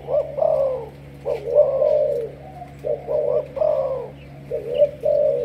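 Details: Malaysian spotted dove kept as a 'sấm thổ' decoy, giving paired hollow coos that swell and fade, three phrases in quick succession with brief pauses between.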